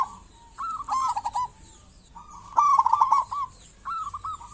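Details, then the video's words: Local zebra dove singing energetically, used as a lure to get other zebra doves calling: two bursts of rapid, stuttering, bubbly cooing notes, each about a second long, separated by a quiet gap, with a shorter third phrase at the end. "Perkutut lokal gacor cocok buat pancingan burung perkutut"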